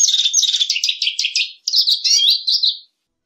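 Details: Lesser goldfinch song in a loud, dense burst of fast buzzy twitters and chattering notes, a short break, then more warbled twitters ending in a slurred whistle, clean background.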